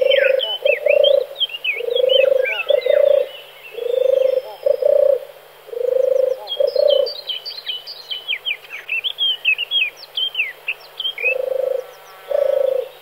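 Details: Male European turtle dove singing: low, soft purring coos in rolling phrases, about one every two seconds with short pauses. High chirps and twitters from other birds are heard throughout, thickest in the middle.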